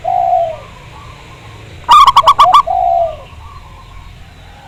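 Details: Local zebra dove, a lure to get other zebra doves singing, big voice: one tight burst of about six rapid, clipped, ringing coos, framed by longer, softer, lower coos before and after over a faint hum.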